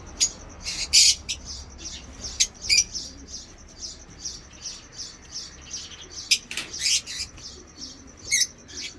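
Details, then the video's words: Pet African lovebirds of colour mutations give ngekek chatter: short, harsh, high chirps in scattered bursts, some doubled, with quiet gaps between them. "lovebird ngekek"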